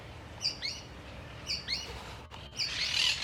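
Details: Sooty-fronted Spinetail, a small furnariid of about 16 cm with a grey forehead, found in forests, savannas and groves of central South America, giving a high two-part phrase twice about a second apart: a sharp note then a quick slurred one, followed by hissy noise.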